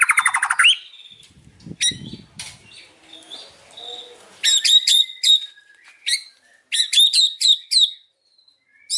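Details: White-rumped shama in the afternoon giving harsh clicking rattles and high sharp chatter in loud bursts, separated by quieter stretches with faint low rustling.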